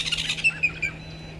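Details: Mating pair of woodland kingfishers at Gowrie dam, Djuma Game Reserve, South Africa, 06:15, 13 December 2022: the tail of a high trill, notes slowing and dropping slightly in pitch before fading, with a low steady hum beneath.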